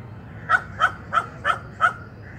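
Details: Gallinule bringing nesting materials, giving five short, sharp clucking notes about a third of a second apart, over faint low background rumble.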